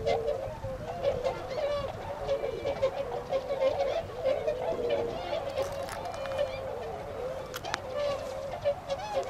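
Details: A wintering tundra swan flock in Azumino, Nagano Prefecture, Japan, late February 2013, heading for rice fields to feed. Soft, continuous honking from many birds, with occasional clicks.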